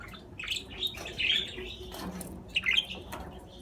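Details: Brief budgerigar warble: wavering, slurred chirps and quick twittering notes in two short phrases.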